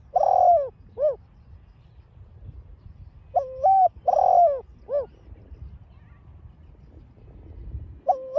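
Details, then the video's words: Spotted dove cooing in 'đồng pha' style for training caged birds: a long falling coo with a short hoot, a pause, then a full stepped phrase with drawn note and final hoot, another phrase starting at the close. "chim cu GÁY GỌI kích bổi hiệu quả giọng đồng pha"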